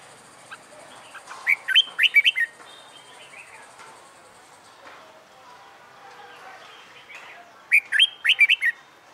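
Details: Red-whiskered bulbul, wild-caught and newly caged, training its fighting song: two separate bursts of quick, chirpy warbled notes, several seconds apart, with soft fainter notes between them.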